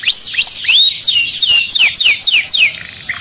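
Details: Canary singing loud, clear downward-slurred whistles at about four per second, high-pitched and slightly varied, sung for mating and to stimulate other birds.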